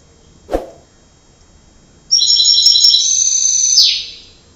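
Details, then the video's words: Canary singing: after a single soft knock, a sustained high, buzzy rolling trill lasting nearly two seconds that ends in a falling slur, in a quiet room. "canary voice"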